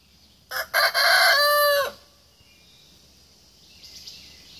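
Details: Young Buff Orpington rooster crowing in the morning: a couple of short opening notes, then one loud, harsh crow held about a second and dropping at the end, followed by quiet.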